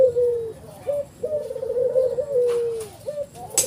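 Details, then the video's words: Ivory-white collared dove with a black neck ring, a pale domestic form, giving low mellow coos: long drawn notes that slide slightly downward, broken by short rolling trills, in a quiet indoor setting with a sharp knock near the end. "burung puter ivori putih kalung hitam"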